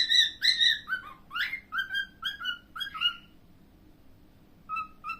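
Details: Pet cockatiel giving clear whistled notes, some sliding downward, in a short varied run, then a pause and two soft repeated whistles near the end; faint steady background hum.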